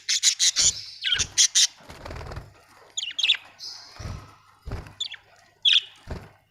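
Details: Budgerigars, several birds, giving a quick run of sharp scratchy chirps, then scattered squeaky notes and short whistles, mixed with several dull thumps and a low rumble.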